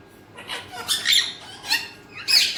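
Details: A talking Alexandrine parakeet (Psittacula eupatria) speaks in three short, husky, high-pitched, squawky bursts about half a second apart, mimicking words in Urdu/Hindi, over a quiet room hush.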